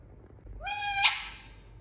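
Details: Single rose-ringed parakeet kept as a pet, one loud rising screech that sweeps upward then breaks into a harsh, noisy burst at its peak, in a quiet indoor setting.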